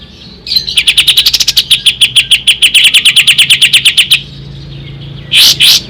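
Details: Tutor recording of an ashy tailorbird: a long, steady, machine-gun series of some thirty sharp high chips over about four seconds, followed after a pause by two loud, rasping notes.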